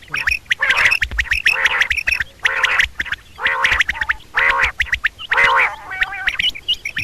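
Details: Female common quail calling, known locally as batair double calls: nasal, harmonic call bursts repeated roughly once a second, mixed with sharp clicking notes and overlapping chatter from other birds.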